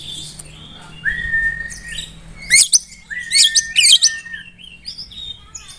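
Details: Oriental magpie-robin song meant to provoke rival birds: a long drawn whistle, then bursts of sharp, varied high notes and short whistled slurs, with a faint low hum behind.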